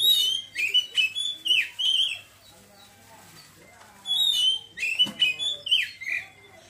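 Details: Ngeriwik song of an Oriental magpie-robin, rapid whistled notes sliding up and down in two clusters split by a quiet gap, clear and high over faint low hum.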